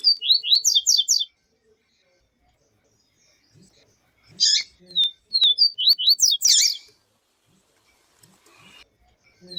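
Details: Yellow-bellied seedeater (papa-capim-viviti) with female call, played to excite males: a rapid run of bright rising notes, a harsh rasping burst, then more clipped high whistles and another buzzy chirp.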